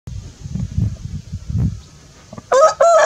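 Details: Rooster crowing in the morning: after low rumbling background noise, a loud harmonic crow bursts in near the end, broken into two strong ringing segments that are cut off before finishing.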